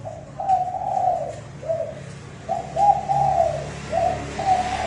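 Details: Strong, fast lure cooing from a decoy spotted dove for wild birds: mellow mid-pitched coos in quick pairs and a drawn-out slurred phrase, repeated about three times, fairly clean background.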